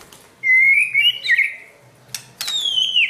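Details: White-rumped shama trained for contest mentality, a long steady whistle breaking into a twisting warble, then sharp clicks and a bright descending whistle.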